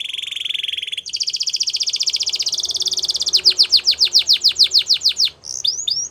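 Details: Gloster canary: an extended, rapid, buzzing roll that steps up in pitch, then a long string of quick downward-sweeping whistles and a few final upturned chirps.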